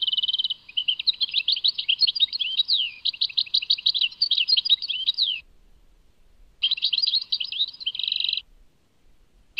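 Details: European goldfinch song labelled Tadmait: a fast, high twittering run of liquid notes and buzzy trills lasting over five seconds, a short silence, then another brisk twittering burst and a brief note at the end.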